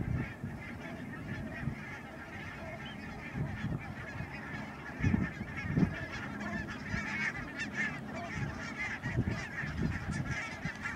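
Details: Barnacle geese recorded on 16 March 2009 at Schouwen-Duiveland and Goeree-Overflakkee, Netherlands: a dense chorus of short, yapping honks from many birds overlapping continuously, over a low rumble of wind or distant noise.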